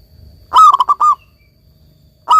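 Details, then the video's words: Local zebra dove in full song, used as therapy for doves that stopped singing: a stuttering coo phrase of rapid pulses ending in a drawn note, a new phrase starting at the end. "perkutut lokal gacor ini cocok buat terapi perkutut kalian yang lagi macet bunyi agar kembali gacor"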